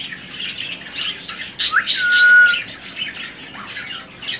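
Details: Three-year-old pet male ring-necked parakeet, semi hand-tamed, holds one clear level whistle after a quick upward flick, with soft chatter and room noise around it.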